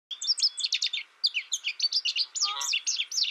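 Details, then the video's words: American goldfinch giving a fast run of high, bright twittering notes, varied chips and short slurs, with a brief pause after about one second before the chattering run resumes. "American Goldfinch Sound"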